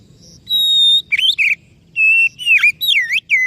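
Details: Oriental magpie-robin song opening with a long pure high whistle, followed by buzzy warbled notes, a steady whistle and lively swooping phrases; quiet low background noise.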